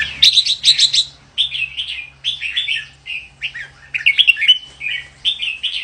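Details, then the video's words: Red-whiskered bulbul pouring out a long, cheerful run of warbled phrases, quick slurred whistles following each other with brief gaps, against a faint low hum. "chào mào hót hay"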